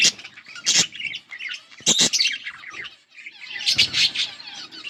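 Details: Budgerigar pair chirping and squawking: loud harsh squawks near the start and middle, then a dense run of scratchy chattering notes toward the end.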